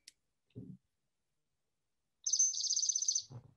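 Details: Chipping sparrow trill, played back from a phone recording: a dry, rapid, high trill of even notes lasting about a second, with soft handling thumps before and after; in Minnesota the species returns in April.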